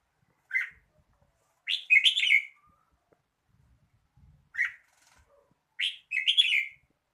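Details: Red-whiskered bulbul singing: two pairs of bright, warbled phrases, each a short chirp followed by a longer rich gurgling run, repeated about four seconds apart with quiet gaps between.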